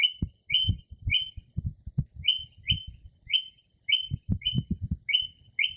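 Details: Northern mockingbird singing outside a home late at night in early spring, mimicking other birds: a clear chirped note, sharply rising then level, repeated about ten times in pairs and singles, with dull low thumps underneath.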